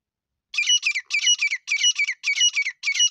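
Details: Desi teetar (partridge) call used to lure birds for hunting in Sindh, Pakistan: after half a second of silence, harsh, high, grating phrases of paired notes repeat steadily about every half second, with no other sounds.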